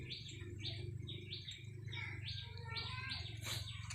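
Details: Caged red-whiskered bulbul kept as a decoy bird, recorded 30 April 2025: short bright phrases repeated in quick succession over a steady low hum.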